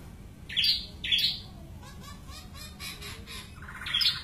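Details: Short, sharp, high squeaky notes from a white-crested laughingthrush, repeated with pauses, among soft background rustles.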